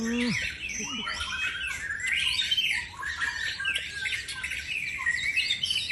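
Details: White-rumped shama, a champion singer, delivering dense, continuous warbled song of quick whistles, chirps and downslurred notes, with a short low tonal sound at the very start.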